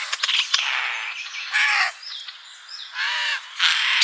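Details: Wild birds at a feeder in a summer garden giving harsh, raspy squawks with stacked harmonics, in short bursts separated by brief pauses, with faint chirps between.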